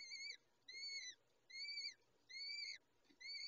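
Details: Peregrine falcon female feeding young at the nest: a steady series of five thin, arched whistles, each about half a second long and spaced roughly evenly, with faint hiss behind.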